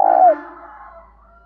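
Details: Spotted dove calling in the 'thổ pha' voice style, used to provoke rival doves into dueling: one loud, low, short coo with a quick downward slide, then a faint ringing tail fading away over about a second.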